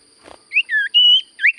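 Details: Common Iora giving a brief phrase: a soft rustle, then three clear whistles, one slurred, one lower and drawn out, one long and level, and finally a rising note.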